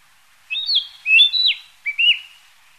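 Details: Narcissus flycatcher, a passage migrant stopping briefly, giving clear whistled notes: a rising-then-flat phrase, a sliding pair, and a descending slur, then a short rising whistle after a pause. Background is quiet.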